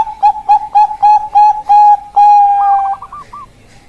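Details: Perkutut of the Bangkok type giving seven rhythmic, slightly bent coo notes. One long, drawn-out tone follows, then a few faint, quick notes trail off.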